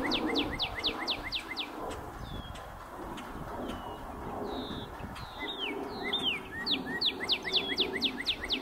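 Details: Northern Cardinal at Major Donnelly wildlife preserve, South Windsor, Connecticut, on 14 April 2024, sings loud, clear whistles: quick runs of steeply falling notes, then slower slurred whistles, then another fast run, over a low rumble.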